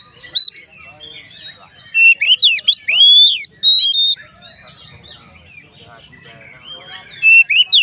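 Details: Oriental magpie-robin singing to trigger song from other magpie-robins, loud whistles and sweeping notes in bursts separated by a quieter stretch of soft twittering.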